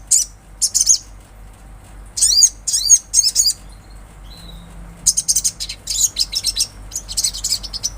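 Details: Olive-backed sunbird song, said to be natural: high, slurred, sweeping notes in short groups, a pause, then rapid series of thin, bright chirps.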